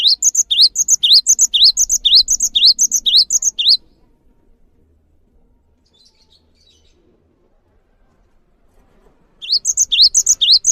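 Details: Song of the Java sparrow for coaxing birds into singing: brisk rising chirps, each followed by a piercing higher note, repeated evenly for nearly four seconds, then a long gap before the series resumes.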